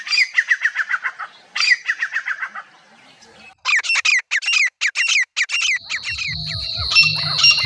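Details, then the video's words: Partridge (teetar) gives a fast series of harsh, grating notes, then loud clipped shrieks in quick succession, ending with a thin high whistle over a low hum. "best Teetar awaaz"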